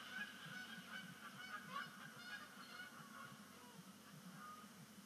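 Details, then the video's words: Migrating Canada geese coming down onto Sapsucker Woods Pond at sunset, 10 5 2019, first splashdown of the year; a chorus of repeated honks, roughly a call a second from individual birds, layered over a low rumble. "First Canada Goose Sunset Splashdown of the Year"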